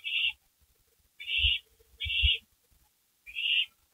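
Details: Owls back on a porch at night on May 3, 2012: four raspy, breathy screeches at uneven intervals, with a faint hum and low knocking sounds in the background.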